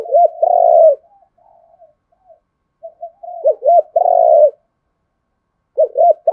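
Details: Spotted dove coos used to draw a wild rival into fighting: a long rough coo, soft mutterings, then paired hoots and another long coo, the phrase restarting near the end.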